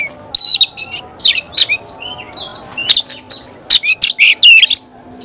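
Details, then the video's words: Oriental magpie-robin (kacer) singing vigorously: bursts of clear high whistles and sharp rising and falling notes broken by short harsh chips, with brief pauses between phrases and a quiet steady background. "Kacer gacor"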